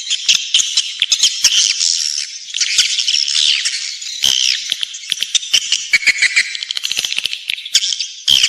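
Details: Nest-luring swiftlet calls form a busy high chitter, with shrill slurred squeaks over ticking clicks and short dips in loudness between bursts.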